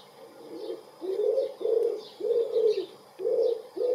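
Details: Common wood pigeon cooing at close range in spring, April 2019, with another answering: low hoarse coos in grouped phrases, each note about half a second, with short gaps. Faint high chirps from small birds in the background.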